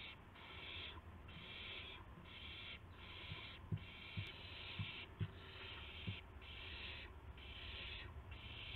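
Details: Owls at 5:50 AM on March 26, 2016, with a gopher and a mouse; about ten harsh hissing screeches in regular succession, each roughly half a second, with soft scuffling knocks beneath.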